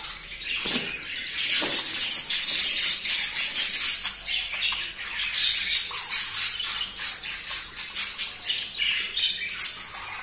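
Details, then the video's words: A very excited male budgerigar mating with a female for the first time gives a dense, harsh, scratchy chatter. High buzzy squawks run almost without pause, swelling and dipping over ten seconds. "تزاوج عصافير الحب | البادجي | ذكر هائج | جدا لاول مرة يتزاوج"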